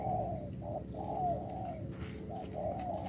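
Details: Spotted dove, a 'bổi đồng pha' bird, cooing: soft low hooting notes in short rising-then-falling phrases, repeated over a steady rural hum.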